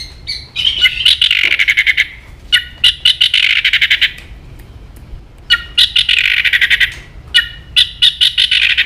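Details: White-rumped shama singing aggressively: loud rapid rattles and harsh buzzy bursts repeated in blocks, separated by brief pauses, over a low background hum.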